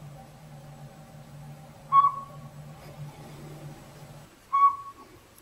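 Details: Northern Pygmy-Owl, tiny and newly moved into an old sapsucker nest in a hollow backyard tree; two brief whistled toots about 2.6 seconds apart, the low background hum cutting out before the second note.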